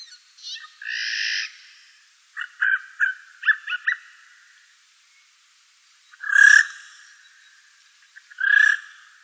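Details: Eurasian jay in the Wittlich valley, Germany, recorded in 2018: three harsh, rasping screeches, the last two loud and widely spaced, with a rapid run of short clicking, knocking notes between them in otherwise quiet surroundings.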